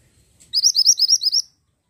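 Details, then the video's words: Pied bushchat in vigorous song: a faint click, then a burst of about eight high, rising whistled notes given in rapid even succession, followed by quiet. "BURUNG MANTENAN GUNUNG GACOR"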